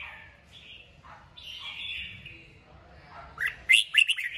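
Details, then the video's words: Red-whiskered bulbul stimulated to sing: buzzy warbled phrases around mid-high pitch, then a burst of loud sharp chirped notes near the end. "Chào mào kích bổi cực mạnh. Nghe là hót 100%"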